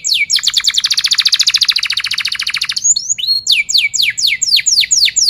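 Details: Canary singing for training young birds to sing: a fast steady trill of pulsed notes for about two seconds, followed by loud separated down-sweeping whistles.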